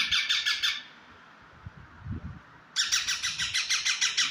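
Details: Parrot described as talking, delivering harsh rasping pulses that stop, then after a pause with low bumping sounds resume as a steady train of about three squawks per second.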